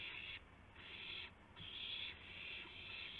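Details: Owl recorded around dawn, 5:50 AM on March 26, 2016, with a gopher and mouse as prey; long, airy hissing screeches, three drawn-out bursts barely separated, with faint clicks between.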